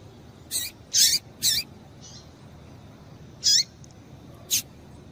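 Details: Calling female Double-collared seedeater, used to stimulate males: three bright, high chirps in quick succession, a faint soft note, then two more sharp chirps spaced about a second apart.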